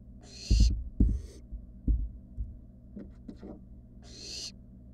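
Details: Nest-box barn owl, wild, among its siblings: a noisy hissing screech opens and another closes the stretch, while knocks, scratches and shuffling sounds fill the gap.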